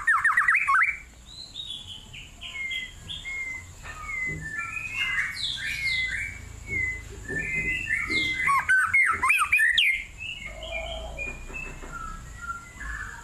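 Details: White-rumped shama in full, lively song in a cool forest, a long rich stream of varied quick whistles, trills and slurred notes with faint rustling underneath.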